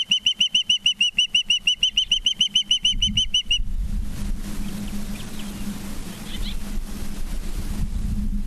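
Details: Osprey at its nest near Charlo, Montana, evening of 19 September 2023: rapid series of piercing whistled chirps, about five per second, for three seconds, then stopping, leaving wind rumble and a steady low hum.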